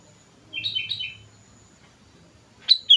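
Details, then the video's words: Lively sooty-headed bulbul song used as a lure: a quick chattering cluster of warbled whistled notes, then after a pause a sharp rising-falling two-part whistle, with faint low hum behind. "pancingan suara burung kutilang gacor"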